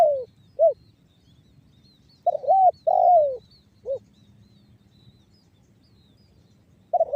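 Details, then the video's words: Spotted dove lure recording in the banggo bocor style, meant to prompt other doves to call: low hoarse coos, a doubled note then a long falling note and a short clipped coo, with phrases repeating after pauses. "SUARA TEKUKUR BANGGO BOCOR"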